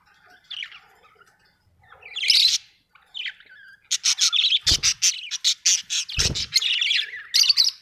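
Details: Pet budgerigars at home: scattered soft chirps, then a fast run of loud, evenly spaced sharp chirps with two low thuds in between.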